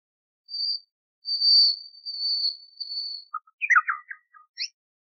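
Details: Slow, drawn-out high whistles swell in loudness, then break into a scattered burst of twittering notes. Common nightingale song, an old archive recording with noise removed, meant as a model for canaries.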